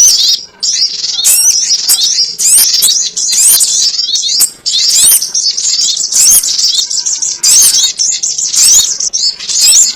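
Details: Sogon ontong bird sound meant as a trapping lure: a long run of high, scratchy twittering phrases, each a second or two long with brief dips, and sharp clicky notes mixed in.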